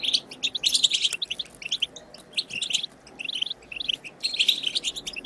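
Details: European goldfinch song in the wild 'bitbita' style, used to stimulate goldfinches to sing: rapid high twittering bursts of tinkling, buzzy notes in phrases lasting about a second, separated by brief pauses, with a quiet background.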